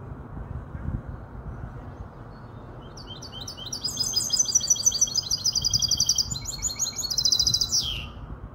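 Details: After a quiet start, a five-month-old goldfinch hybrid in Casablanca launches into quick, high, buzzy twitters that build in loudness and close with a falling slur.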